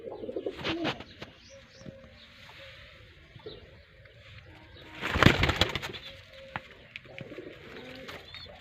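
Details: Low, throaty pigeon coos from a Pakistani village in Sindh come in short repeated phrases, broken midway by a loud burst of rough flapping or clattering noise.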